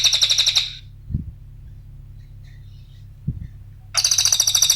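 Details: Cililin song played as a lure and training model for songbirds: rapid buzzy trilled bursts of fast repeated notes, first fading after under a second, then a silent gap with faint low knocks, then a fresh burst.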